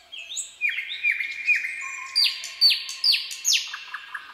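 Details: Common nightingale singing in a forest at night, opening with whistles and short slurred notes, then a run of loud, steeply falling notes about every half second over a low held tone.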